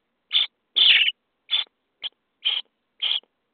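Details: Common starling nestlings, day 23 in a nest box, calling at feeding time: six rough, hissing screeches, the second one longer and louder.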